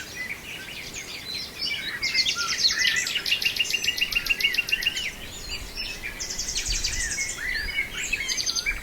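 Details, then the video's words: Nightingale singing in Brijeste: fast, evenly pulsed rattling trills on high notes, repeated in bursts, woven with short whistles and chirps, with other small birds calling in the background. "Nightingale in Brijeste"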